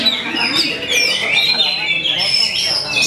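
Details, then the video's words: Competing kacer, or Oriental magpie-robins, in a bird-singing training contest, the two prize winners dueling in song. Bright whistles rise and fall in long overlapping slides, mixed with short chirps. Background chatter from people. "SALING T3MB4K KACER"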